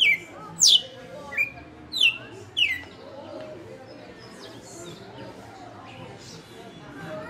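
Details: Veteran caged red-cowled cardinal, five years in keeping, singing açoite: a quick burst of four or five steeply falling whistles in the first few seconds, then only quiet background noise.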